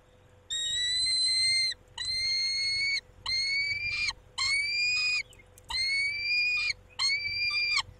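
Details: Six long, even, whining wails from a male peregrine falcon tending the females at the nest at 19:40, each about a second long and slightly rising, with steady short pauses between them.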